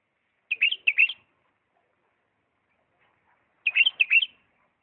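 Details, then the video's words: A Diyala bulbul sings two short, bubbly phrases of liquid, warbled notes, about three seconds apart, in an otherwise quiet setting. "اجمل تغريد بلبل"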